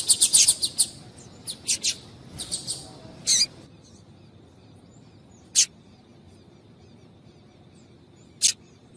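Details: Female Double-collared seedeater calling to get males singing: a rapid cluster of high, sharp chips in the first few seconds, then two lone chips separated by long pauses over faint background noise.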